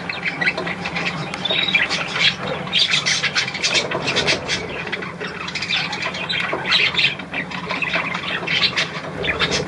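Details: Three young budgerigars recorded on 10 March 2013. Dense, scratchy chatter with squawks and short chirps runs continuously, several voices overlapping in a busy, noisy jumble.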